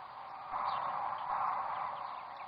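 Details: Sandhill cranes at Rowe Sanctuary on the Platte River in Nebraska: a dense, steady mass of overlapping calls from many birds blends into a continuous rolling chorus.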